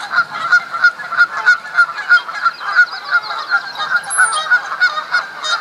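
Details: Several Canada geese honking during spring mating season when males fight for females, Duke Farms, New Jersey, April 2015; steady run of nasal honks roughly three a second, with a brief high squeal near the end.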